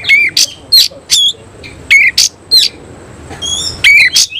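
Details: Oriental magpie-robin, semi cililin type, singing with its tail open; short, sharp whistled notes, several with a rising flick, come in an uneven, stuttering series of about ten in four seconds.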